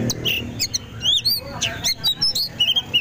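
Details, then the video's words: Tame oriental magpie-robin singing busily, with clear whistled notes that rise and fall and slur, given in quick bursts, some sliding high. A low murmur of voices or background noise runs underneath throughout. "kacer jinak gacor"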